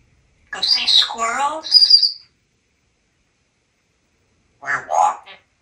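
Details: Talkative pet African Grey parrot indoors in a Texas home, perched on a trash can edge, chattering words in a humanlike voice with a shrill whistle, then silence and another short spoken phrase.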